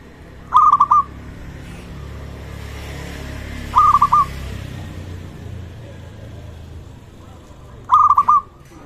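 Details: Zebra dove of local Indonesian stock, a lively caller, used to stir other zebra doves into calling and raise their arousal: three short rolling coo phrases of rapid pulses, spaced over three seconds apart, over a steady low hum and hiss.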